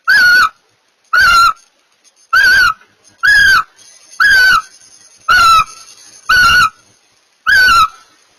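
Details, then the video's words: Barn owls mating, producing short tonal chirrups with rich harmonics, repeated steadily about once a second, eight calls in a row. "Barn Owls Mating"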